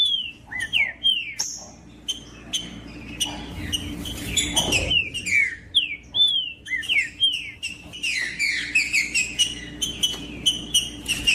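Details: Green-winged saltator song meant to warm up and stimulate other birds: rapid sequences of whistled downslurred and upswept notes, a brief burst of noise midway, continuing in a dense, fast phrase.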